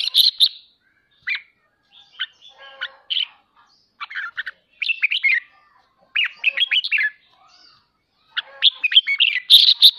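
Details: Red-whiskered bulbul performing ché song meant to stimulate home birds to train their voices; loud, busy runs of sharp whistled and warbling notes repeat in several bursts, with quieter single chirps in the gaps.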